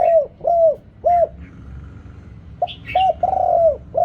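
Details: Decoy-call coos from a spotted dove used to call wild birds: short, rounded, low hoots, a pause with faint chirping from a smaller bird, then quick coos and a long, sustained, slightly falling note.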